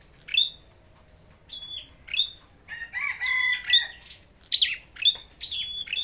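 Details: Competition song of a red-headed flowerpecker: high, sharp ticking notes ending in brief flat whistles, with a lower, warbling bird sound overlapping in the middle of the passage.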